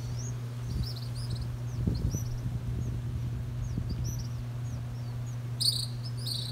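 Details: Hungry young birds calling beside their mother: many thin, high chirps and short upward-curving squeaks repeated in quick succession, a louder cluster near the end, over a steady low hum and occasional soft thumps.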